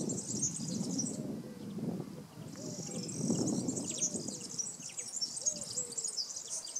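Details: A European serin at Praia do Vau, Algarve, Portugal, sings a very high, fast, jingling and buzzy song in long fizzing bursts, with a low rumble of background noise underneath.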